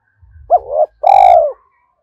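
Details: Cooing decoy spotted dove meant to rouse wild doves quickly, thổ voice: a rising-falling hooked double note, a short gap, then a strong sustained coo that slowly drops in pitch. Faint low rumbling lies underneath.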